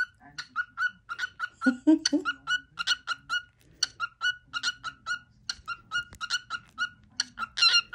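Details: A pet male cockatiel whistles his daily cookie song in a steady series of short, same-pitched notes. A brief low vocal sound breaks in around the second second, over a faint background hum.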